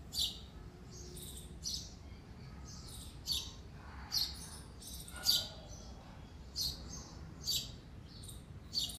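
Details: Chirping male sparrow, its sharp high notes coming in clusters roughly every second, some doubled, over a low steady background hum.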